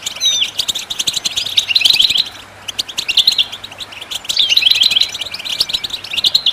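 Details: To stimulate other birds to sing, a goldfinch gives rapid chattering twitters and tinkling notes in bursts, with a brief pause near the middle before the jingling phrases resume.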